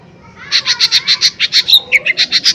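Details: Rapid, high, ringing chips from a lesser green leafbird, used to provoke other birds, broken midway by a few whistled slurred notes before the even chipping resumes.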